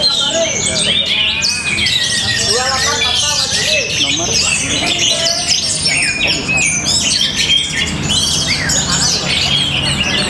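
An Orange-headed thrush pours out a loud, fast, varied song of sweet whistles, rapid trills and harsh squawks, with other birds and human voices in the background.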